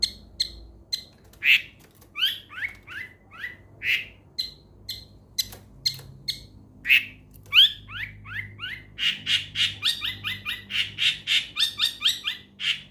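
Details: Long-tailed shrike (cendet) song for coaxing a silent bird back into song: varied sharp notes and short downslurred whistles, spaced at first, then speeding into a dense chattering run of paired high notes.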